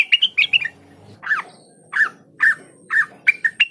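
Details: Blue-winged leafbird singing. A quick warbled phrase opens, then single sharp downslurred chirps about every half second, ending in brighter clipped notes. A quiet low background hum is present.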